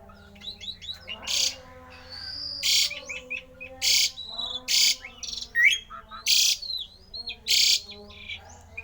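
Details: Javan pied starling with an uncommon, strange song said to make other starlings sing: loud harsh hissing bursts repeated about every second, between clicking chatter and short whistled notes, over a steady low hum.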